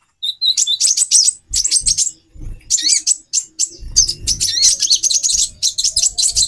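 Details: A female brown-throated sunbird, calling to excite the male's mating drive, starts with a couple of high whistled notes, then fast shrill twittering bursts with occasional rising slurs; low thuds accompany it.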